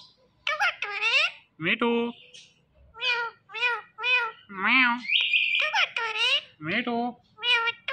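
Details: Talking Indian ringneck parakeet rattles off a rapid string of short, nasal, speech-like syllables and meow-like calls, nearly two per second, with one buzzy high note mid-sequence.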